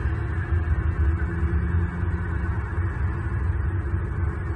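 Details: A constant low rumbling hum fills the recording from start to finish, with no animal voices heard.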